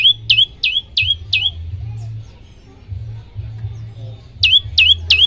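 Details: Olive-backed tailorbird song for tutoring other birds into song: four strident notes with a quick downward slur, a pause with faint chirps and low humming, then three more notes in a fast burst.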